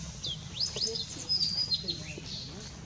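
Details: Blue-and-white flycatcher on 6 May 2016 giving high, sweet whistles, a long level note and several quick falling slurs, with a soft low murmur of background noise underneath.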